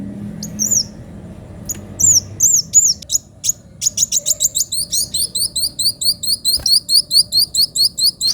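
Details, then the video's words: Sunbird in full song: a few scattered high looping whistles, then a fast steady series of sharp high chipping notes repeated about twice a second, quiet low background hum. "Kolibri wulung gacor suara pedes"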